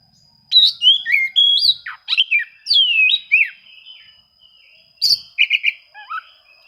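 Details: Oriental magpie-robin song seeking rivals, used to prompt quiet birds to sing; loud slurred whistles and warbles, a lull, then a few softer notes.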